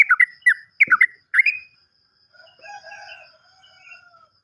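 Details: Lure song of a sooty-headed bulbul meant to set silent caged birds singing: four quick fluty, bouncing two-note phrases in the first second and a half, followed by softer drawn-out trills from other birds.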